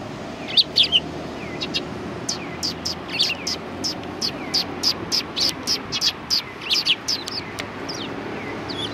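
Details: Sparrows chirping at a Tenmangu shrine, 1 March 2020: a fast run of sharp, evenly spaced chirps, roughly three per second, follows a few scattered notes, with a soft low background rumble.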